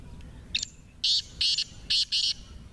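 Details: Partridge (teetar) said to give 28 calls in three minutes, kept for fighting. A short rasp is followed by four loud, harsh, scratchy bursts in two pairs, each lasting about a fifth of a second, dominating quiet background rumble.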